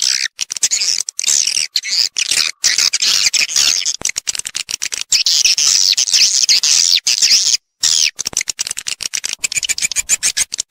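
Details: Lure sound used in swiftlet farming to bring birds in to nest: a steady stream of rapid clicks mixed with a high, shimmering twittering chorus, broken by a single brief silence.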